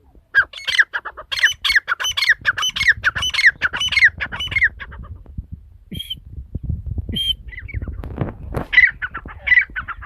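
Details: Rapid, hoarse squawks from a female partridge calling in the masti wali korak style, a dense series for four seconds, then a lull with low rumbling before scattered rasping notes return.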